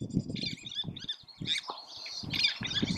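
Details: Least tern (Sternula antillarum) at Oso Flaco on May 31, 2019: scattered high, raspy chirping calls over strong low rumbling wind noise.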